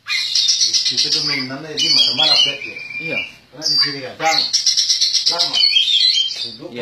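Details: Champion contest Oriental magpie-robin, caged, delivering loud harsh rattling trills and squeaky whistled phrases in rapid bursts, with lower grating notes mixed through the song.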